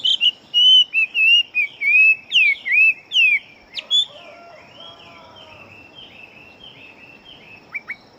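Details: Fighting-type Chinese hwamei singing rapidly: a run of loud, evenly spaced whistled notes for about four seconds, then softer, fainter warbling with two sharp closing notes.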